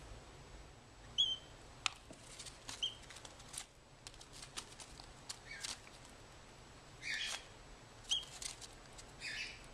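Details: A 16-day-old captive plover chick in wildlife care, now self-feeding, gives three or four thin, high peeps at irregular intervals, with soft clicks, taps and rustling between them as it eats.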